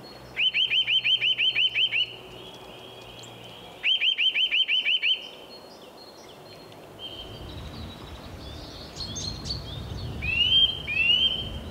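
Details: Singing Eurasian nuthatch at its nest site: two bursts of about nine rapid rising whistles each, followed by quieter scattered whistled notes and a few sliding calls amid low background rumble.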